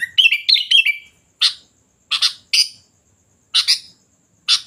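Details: Sooty-headed bulbul: an opening run of bubbly, warbling notes, then a series of harsh, raspy calls spaced about half a second to a second apart.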